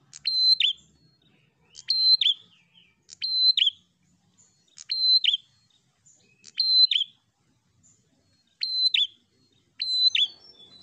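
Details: Prinia song used to provoke a rival: loud, high, identical chirped phrases, each a brief flat whistle ending in a falling buzzy note, repeated steadily every one to two seconds with clean silence between.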